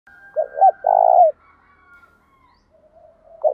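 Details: Male spotted dove cooing in the Thổ đồng style to provoke rival birds into fighting: two quick low hoarse notes followed by a longer rolling coo, then a faint trailing murmur and the start of another phrase.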